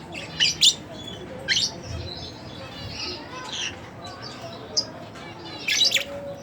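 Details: Split blue Fischer's lovebirds kept as pets give short, high, scratchy chirps, often in quick pairs, spaced unevenly with softer twittering between them against a low background hum.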